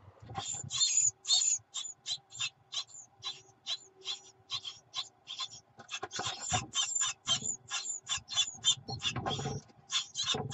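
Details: Begging from Great tit nestlings when the mother arrives with food, 24 June 2019: uneven bursts of scratchy, hissing high calls, some clustered and overlapping, mixed with soft rustling and knocking in the nest.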